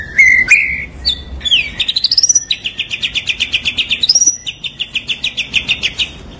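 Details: White-rumped shama, a top-performing singer, in full song: sliding whistled notes rising and falling, then long fast trills of rapid repeated pulses holding steady pitch, switching between two trill types.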